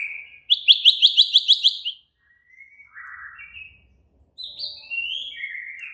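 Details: White-rumped shama song, agitated and excited: a rapid series of about eight repeated sharp chipping notes, a soft buzzy phrase, then high descending whistled notes.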